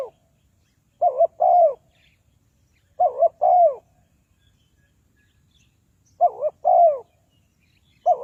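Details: Decoy spotted dove used for bird trapping, calling steadily. Four two-part phrases come roughly every two to three seconds, each a wavering coo followed by a longer falling coo, in quiet surroundings.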